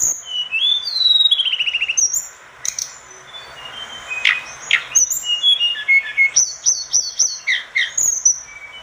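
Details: Lively song of an orange-spotted bulbul, used as tutor material for other birds: opens with a rapid rattling trill sliding downward, then brisk high whistles and chirps repeated several times per second.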